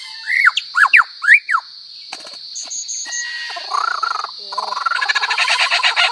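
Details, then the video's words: Lyrebird, a bird that imitates many sounds, heard in a recording meant for training songbirds (masteran). Three loud downward-curving whistles come first, followed by scattered clicks, short high notes and a fast churring rattle, all over a steady high electronic whine. "Lyrebird ❗BURUNG ISIAN SUARA BISA MENIRUKAN APA SAJA"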